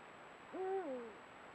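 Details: Eurasian eagle-owl of a pair at dusk, picked up by a camera trap: a fainter single call over background hiss, steady then gliding down in pitch.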